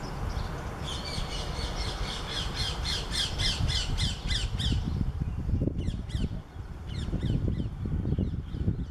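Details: A Syrian woodpecker (Dendrocopos syriacus) on a mulberry tree gives a fast series of harsh, squawky notes, about four a second, then a few fainter notes, over a strong low rumble of wind.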